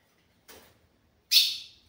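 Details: A caged male ultramarine grosbeak gives a single sharp, high "radar" contact call so a female will answer and reveal where she is, after a fainter rustling sound a moment before.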